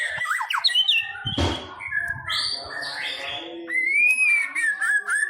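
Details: White-rumped shama singing, meant to encourage another bird to sing: varied chattering and whistled phrases ending in a clear, long upslurred then downslurred whistle, with a thump near the start.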